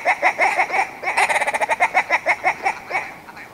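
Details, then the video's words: Harsh, croaking willow ptarmigan notes: a few spaced clucks speed into a quick rattle, then slow again into separate barking calls. "Willow Ptarmigan - Song & Call"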